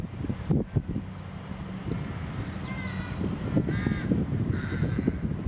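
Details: Rook colony in England shortly before Easter, birds at tree nests with chicks; two rasping caws close together near the end, over heavy low-pitched wind and background rumble.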